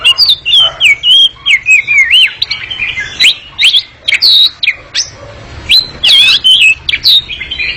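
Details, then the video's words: Oriental magpie-robin in long ngekek song, quick and noisy, pouring out a continuous run of high, looping whistles, wavering trills and sharp chips, each note rapidly following the last in short bursts. "Kacer ngekek panjang sangat gesit dan berisik"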